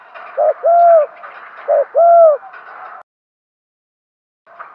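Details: Spotted dove kept as a decoy, calling to draw in wild birds: two paired phrases, each a brief soft note then a drawn-out mellow coo, followed by a pause of near silence.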